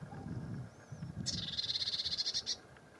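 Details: A single dry rattle from a lesser whitethroat, a fast even string of about a dozen clicks on one high pitch lasting just over a second, with faint low rumble before it.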